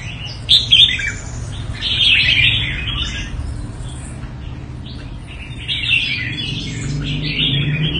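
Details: Talented red-whiskered bulbul from Quảng Nam's Đại Quang area, Vietnam: loud bubbly warbling bursts separated by brief gaps, a sharp chirp opening, over faint low background rumble.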